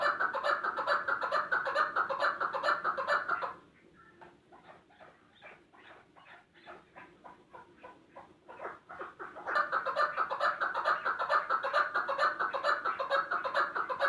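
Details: Chukar partridge (chakor) giving loud, rhythmic chuck-chuck calls in fast repeated series, with a quieter stretch of softer, spaced clucks in the middle before the loud calling resumes.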